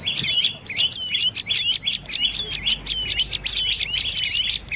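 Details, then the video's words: Dark-necked tailorbird voicing a quick sequence of bright, high, twisting chips, packed closely together and delivered at a brisk, even tempo. "เสียงนกกระจิบคอดำDark necked Tailorbird Sounds"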